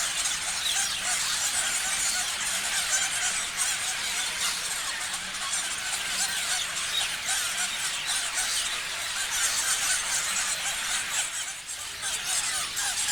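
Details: Numerous parrots keep up a continuous shrill chatter of quick chirps and squeaks, dense and overlapping, with a brief dip in loudness near the end before the chorus resumes.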